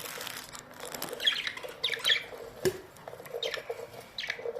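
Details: Australian budgerigars in a colony give short harsh squawks and scratchy chirps in scattered bursts, with several birds calling over a soft rustling background.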